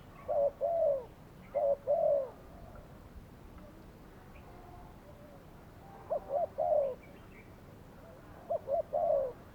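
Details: Spotted dove kept as a trapping decoy in Thailand, calling in four bursts of rolling coos, each a quick pair of short notes then a longer falling note, separated by quiet gaps of several seconds.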